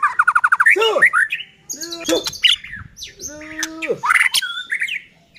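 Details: White-rumped shama song used to provoke rival shamas: begins with a rapid even series of about eight clear notes, then arched slurs, harsh buzzy bursts and sweeping whistles.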